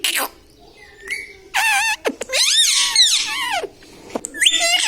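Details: Talking pet parrot indoors, said to say mithu mithu and mummy papa: a short thin note, then strained, nasal squawked syllables with swooping pitch, and one longer wavering phrase in the middle.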